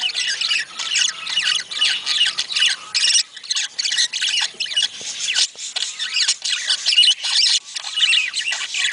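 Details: Budgies in a sound meant to trigger mating: choppy, raspy chatter broken into short blocks, with scratchy squawks and some thin whistled slides between bursts.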